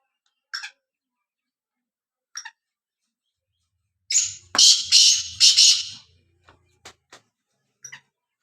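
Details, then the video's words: Black francolin giving one loud, harsh, grating phrase of about four rasping, buzzy notes lasting under two seconds, framed by a few short high chirps and clicks before and after. "kala tetar ki awaz boli"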